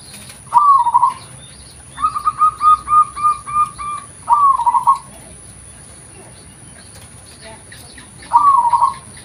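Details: Local zebra dove, recorded as original sound for luring, sings a rolling trilled coo, then a stuttering run of about six short evenly spaced notes, another trill, a long pause and a final trill, with a constant thin high hum behind.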